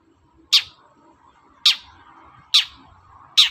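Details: Long-tailed shrike calling in the morning to stir other birds into replying. Four loud, rasping, explosive notes come roughly a second apart, with a faint steady hum between them.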